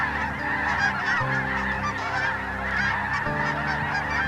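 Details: A flock of thousands of snow geese, mixed with some Ross's geese, circles in to roost for the night, honking en masse: a dense din of overlapping nasal, high yelps over a low steady rumble.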